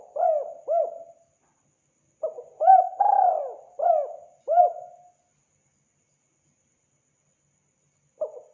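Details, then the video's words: Vigorously calling spotted dove repeats its mellow coo phrase of arched notes and one long falling coo, twice with a pause of about three seconds between, a third phrase just beginning at the end. "Suara burung tekukur gacor"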